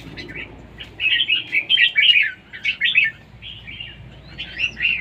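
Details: In competition singing, a red-whiskered bulbul gives a steady stream of rich, looping warbled phrases, loud and evenly spaced, with a softer rising whistle near the end.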